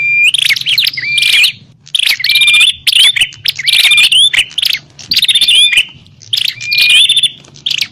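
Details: Noisy agitated bar-winged prinia fighting call meant to draw in wild birds: dense runs of scratchy, buzzy chatter broken by bright upslurred whistles, delivered in long bursts with short pauses.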